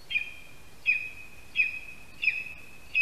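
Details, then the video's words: Male lesser spotted eagle at a spruce-tree nest in Latvia, calling for his mate after bringing a mouse, 8:16 AM, 13 August 2021. High, level whistled yelps with sharp starts repeat about every 0.7 seconds over soft background noise. "Mazais ērglis~ Andris brings a mouse Is calling for Perle"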